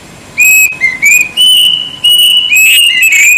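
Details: Loud, shrill whistled song of a plaintive cuckoo: a string of sustained, slightly wavering notes, some falling and some rising, in three bursts after brief silence at the start.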